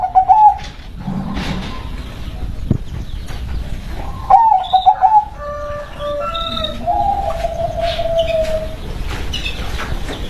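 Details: Zebra dove of local stock giving bubbling, trilled coos in short bursts, followed by a longer steady tone, with thin high chirps of other birds and a continuous noisy backdrop.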